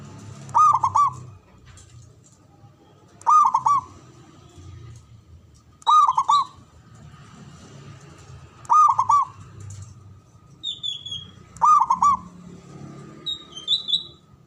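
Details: Local Javanese zebra dove, a loud, long-breathed caller used as a lure to stir breeding urge and fighting spirit: bursts of rolling, rapid coos repeated roughly every three seconds, with faint high chirps of other birds and low background rumble.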